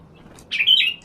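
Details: Sun-bathed sooty-headed bulbul whose voice serves as a lure for other birds, giving a single clear, rich chirp that slurs slightly downward, with a faint low hum underneath.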